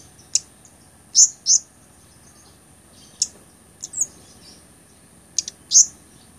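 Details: Blood-breasted flowerpecker singing, a song used for training songbirds and luring birds: loud, piercing high chips in pairs and singles, separated by pauses of one to two seconds, over a faint constant whine.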